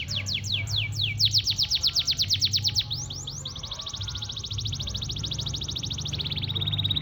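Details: Canary singing in the morning: a run of high, sharply descending sweeping notes that speeds up, then a long, very fast, even trill that drops slightly in pitch near the end, over a low steady background hum.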